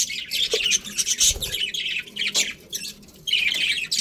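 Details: Breeding colony of colourful budgies producing dense, scratchy chirps and chattering squeaks in rolling bursts, with soft low knocks, possibly from perches, partway through.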